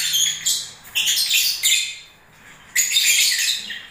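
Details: Lovebirds in the breeding season giving a few sharp, high squeaky chirps and a buzzy twitter, a pause of about a second, then another harsh burst.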